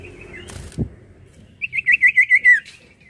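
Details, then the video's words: Sirtu singing vigorously: after a thump and soft background noise, a loud, quick trill of seven wavering whistled notes, falling slightly at the end. "SIRTU GACOR"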